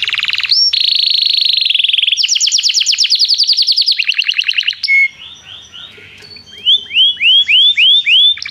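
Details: Canary in song training calling a friend to sing: a sustained rolled note, fast pulsed trills shifting in pitch, a quieter gap, then a series of rising whistled notes.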